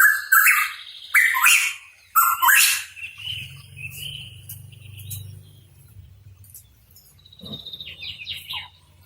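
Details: Hooded pitohui, known as cucak rawa papua, opening with three loud harsh rising phrases, then fading into faint scattered chirps over a low background hum.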